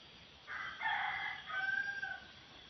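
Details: A wild red junglefowl cock facing a decoy bird crows once: a harsh, broad first section, then a thinner, sustained, gently dropping final note, against a steady high-pitched insect buzz near swampy scrub.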